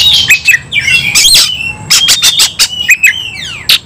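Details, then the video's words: Oriental magpie-robin fighting with intensity; scratchy bursts and whistled slides open, followed by a series of sharp clicking notes and a long level whistle with descending sweeps near the end. "kacer langsung KONSLET tarung ngotot full emotional"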